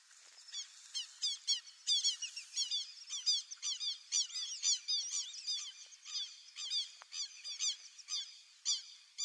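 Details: A group of white-faced whistling ducks, known as irerê, calls continuously with bright, high-pitched whistles, each note sliding up and down. The notes overlap in rapid, uneven series throughout, with no other clear sounds.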